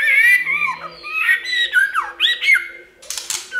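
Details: White-rumped shama singing in many voices, used to prompt other birds to sing: varied whistled phrases that slide up and down, sharp clicks and rattles near the end, over a steady low hum.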